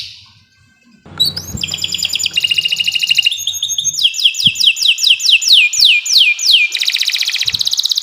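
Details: Kenari Nusantara canary in long, continuous 'gacor' song, used as a master recording to train birds that have stopped singing. After a second of near-quiet come rapid rolling trills, then repeated descending sweeping notes about twice a second, ending in dense buzzy high rolls.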